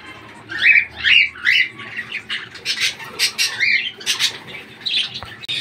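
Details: Tame Indian ringneck parrot at home, said not to bite: a run of about a dozen harsh, raspy squawks and scratchy chatter notes, quickly repeated and uneven, in a small quiet room.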